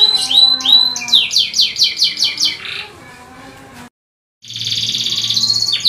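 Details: Canary song used as a tutor recording for training other canaries: fast repeated descending chirps at about two per second, then a short break and a sustained high buzzy trill.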